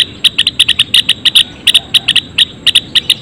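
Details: Several Java sparrows kept in a colony cage chatter with rapid, bell-like tchip notes, roughly a dozen in quick succession, some paired tightly together, above a quiet background hum.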